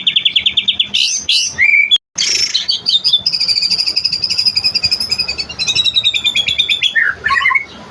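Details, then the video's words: White-rumped shama (murai batu) delivering a long continuous tembakan song: fast repeated high notes, sustained rich whistles and sliding phrases, broken by one brief silent gap near the second second. "Tembakan panjang ful materi #muraibatu"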